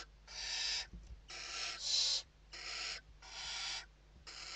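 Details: Western barn owl nest interior, Spain, evening feedings on 29 November 2023: six loud, breathy screeching hisses in quick succession, nearly continuous, with occasional knocks and a low hum.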